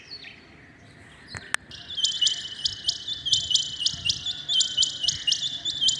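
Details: Rain quail calling in the early morning. A short click and low noise come first, then a steady run of sharp, high, paired metallic notes repeats rapidly from the second second onward.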